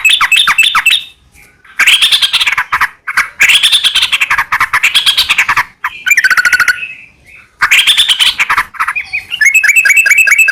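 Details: Sooty-headed bulbul in vigorous, extended song meant to make other bulbuls respond; loud, buzzy chattering phrases alternate with rapid trilled note series, with brief pauses between bursts.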